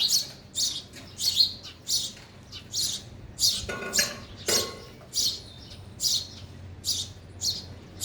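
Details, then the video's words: Sparrows at a feeder, including a young one eating, chirp with loud, bright high notes about every half second, with two brief rustling sounds midway. "sparrow sound effect | ચકલી ઘર | chaklino avaj | sparrow eating"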